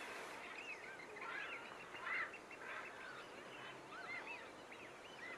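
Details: Whooper swans at Nosterfield on 28 February 2015: a flock giving overlapping bugling, honking calls, short rising and falling notes repeated irregularly, over steady background hiss.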